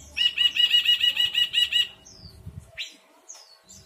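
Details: Ashy bulbul delivering a quick burst of about ten bright ringing notes in under two seconds, followed by thin high chirps and one sharp downslurred note.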